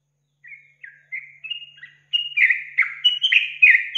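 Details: Lure song of a sooty-headed bulbul meant to rouse other bulbuls: a few spaced, short whistled notes that build into a rapid, louder string of bubbling, warbled phrases.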